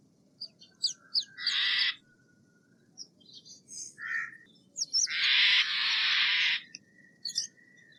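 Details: Steller's jay giving scattered sharp chips, a short harsh squawk, then a long, broad, grating scream lasting about one and a half seconds, ending with thin high notes.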